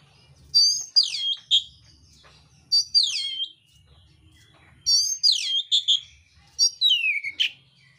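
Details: Oriental magpie-robin, mintal variety, in fighting song with rough fill-ins: four separate bursts of steep sweeping high whistles ending in scratchy downward notes, with pauses of about a second between bursts.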